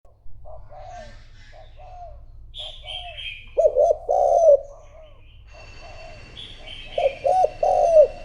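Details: Decoy spotted dove cooing to lure wild rivals: after a quiet start, bursts of low, rounded, hooting coos run in quick groups of three or four, with faint higher chirps from other small birds above.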